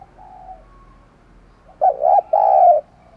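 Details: Spotted dove used as a decoy, cooing to lure wild doves: after a quiet start, a short burst of low, hollow coos, two or three notes with a brief gap, the last one drawn out.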